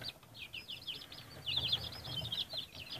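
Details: High, thin peeping from Light Brahma chickens, quick downward-sliding notes tumbling one after another almost without pause, growing a little louder midway, over a faint low hum.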